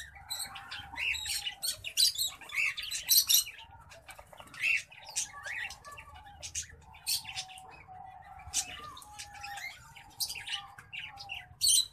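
A finch hybrid sings bright, rapid twittering phrases, high buzzy notes and trills in quick bursts, with a steady low tone running underneath.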